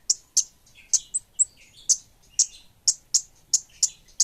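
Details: Orange-headed thrush of the kemade bunga api type singing energetically: sharp, very high clicking chips spaced irregularly, about one every third of a second, with softer twittering notes between them.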